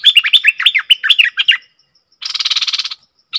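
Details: A bulbul, recorded 20 March 2022, gives a quick run of bright, bubbling, warbled notes, then a short harsh buzzy chatter after a brief pause.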